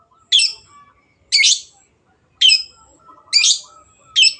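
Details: Long-tailed shrike in lively song, used as a lure to get silent birds singing: five harsh, buzzy broadband notes, roughly one per second, over faint chirps from other birds.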